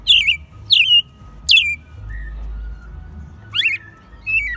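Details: Caged American robin in Mexico City, March 2020, singing in its second year; three loud, high slurred whistled phrases in quick succession, a pause, then two further descending notes, over a steady faint hum.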